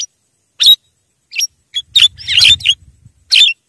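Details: Javan myna call used to lure wild birds: a few separate harsh, buzzy chirps, then a louder tangled burst of rasping notes in the middle, over a soft low rumble.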